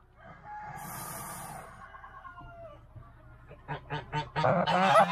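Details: A goose guarding its newly laid eggs in a storage shed nest gives a long breathy hiss, then a run of short, harsh, grunting honks about every third of a second, with fowl-like clucks mixed in.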